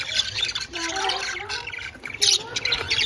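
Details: Pet budgies in a cage keep up an excited twittering chatter of high chirps and short squeaky notes, with a couple of sharper bright bursts near the end.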